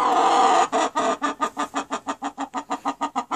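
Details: Chicken giving a loud, drawn-out harmonic squawk for about half a second, then a fast, steady run of throaty clucks repeated roughly five times per second until the end.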